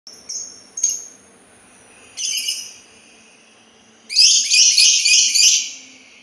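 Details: Sultan tit giving a few scattered high chirps, then a harsh broadband chattering burst of rapid grating notes lasting over a second.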